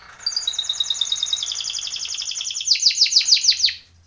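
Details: Timbrado canary training song: a thin whistled trill rising into a fast rolling series of repeated notes, ending in louder descending strokes, with a faint low hum underneath.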